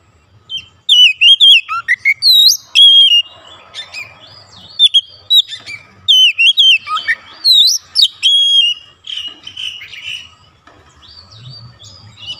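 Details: Magpie robin in full song, repeated phrases of sweet whistled upward sweeps and chattering notes, bursts recurring through the recording with short pauses between.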